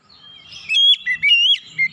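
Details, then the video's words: Lure song of an oriental magpie-robin, used to get untrained birds singing quickly: a thin whistle opens, followed by several sweet, slurred notes that dip and rise. "kicauan Kacer pemikat"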